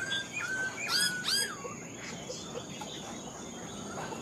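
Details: Black-throated laughingthrush, an old wild-caught caged bird said to sing well, giving a few clear slurred whistles followed by sharp buzzy, descending notes, then fading into faint background twitters.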